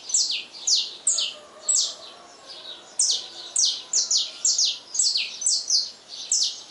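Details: Saffron finch singing at dawn: a steady series of sharp, high chirps, each sliding sharply downward, given about two per second with short pauses, over a faint background hiss.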